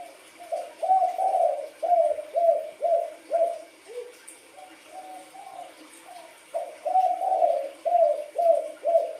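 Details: Low, hoarse cooing from a wild-coloured spotted dove: a run of rolling notes, a softer faltering middle section, then another strong series of about five coos.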